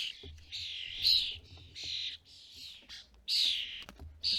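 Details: At a bird feeder in the UK during fledgling season, European starlings give drawn-out, wheezy, grating calls, some long and loud, broken by brief pauses, with a soft low hum behind.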